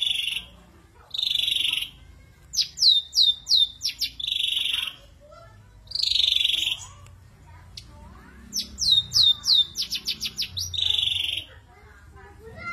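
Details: Ashy drongo in rough burst song, tembakan kasar: harsh buzzy blasts alternate with quick series of sharp down-slurred whistles, about four to six in each run, with silent pauses between.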